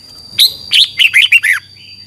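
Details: Red-whiskered bulbul, a caged bird in Thailand kept for song training and contest counting, giving a quick phrase of five loud, bright warbled notes dropping from high to mid pitch, with a steady faint background hum.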